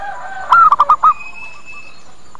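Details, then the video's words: Zebra dove lure cooing to attract other birds: one quick phrase of five soft, rounded notes, the first slightly rising, followed by a faint drawn-out whistle in the background. "Suara PIKAT PERKUTUT Cepat Pada Datang dan Nyaut"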